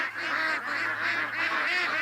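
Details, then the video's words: A flock of domestic ducks at a swamp around 6:30 on an August morning, relaxed and not being hunted, chatter with many overlapping nasal quacks and honks, rising and falling in waves; a faint steady low hum underneath. "Just listen to these ducks. Come on over."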